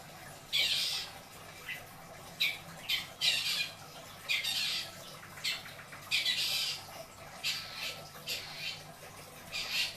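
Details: Isian song of a pet long-tailed shrike from Indramayu: widely spaced harsh, scratchy bursts, some doubled, with quiet gaps between and a low indoor hum.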